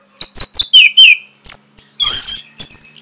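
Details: Masteran song for caged Orange-headed thrushes: loud, varied phrases of quick descending slurs, a sweeping whistle and long, bright, piercing, high notes.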